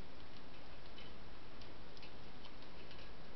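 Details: A steady ticking, like a clock, over a dull room hiss, with no animal voice heard.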